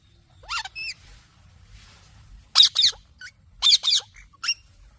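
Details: Indian ringneck parakeet giving a few short, shrill squawks, the first pair sliding upward then a gap before two clusters of harsh high screeches; quiet low hum underneath.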